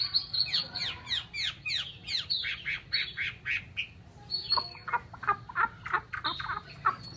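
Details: Chinese hwamei, a kept bird from Vietnam, delivering a fast run of descending chipped notes, then a varied mix of harsh and whistled phrases.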